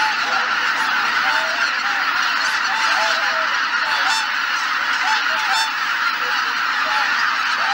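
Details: Geese massed on Izunuma marsh in Japan at cloudy dawn, shortly before lifting off in four or five groups; countless honks overlap into a dense din, with some clearer individual calls standing out.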